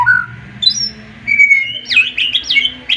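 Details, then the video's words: Excited white-rumped shama giving its sharp 'tembakan' song that makes rival birds answer: a low whistle, a thin high note, then a run of fast scratchy up-and-down whistled chirps. "MURAI BATU OVER EMOSI DENGAR TEMBAKAN nya bikin lawan nya ikutan emosi dan ikutan GACOR"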